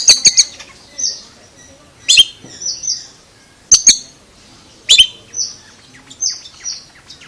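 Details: An Oriental magpie-robin with a strange voice, mixing bursts of loud harsh clicks with clear, high, level whistled notes, some given in quick pairs, across several seconds.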